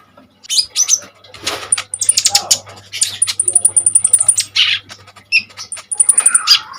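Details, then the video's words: Common iora singing hard as a training example for other birds: high thin trills and a fast rattling run of repeated very high notes mixed with harsh chips, over a steady low electrical hum. "KONIN GACOR FULL TEMBAKAN SADIS"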